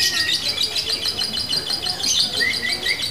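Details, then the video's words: Female lovebird of fighter type, singing in a locked-in style with short pauses: dense, shrill, rapid high chattering trills with a few rising whistled notes near the end, over background music. "Lovebird betina fighter ngunci!!! pitbull jedanya gak kalah ama burung konslet"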